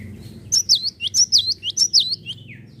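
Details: Java sparrow song used to provoke other caged birds into singing: a brisk run of about eight sweet, looping tinkles, ending in a short falling slur.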